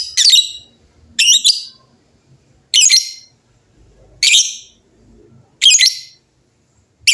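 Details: Lovebirds trading noisy calls. Coarse, buzzy chatter bursts, each about half a second long, repeat roughly every one and a half seconds in a steady exchange.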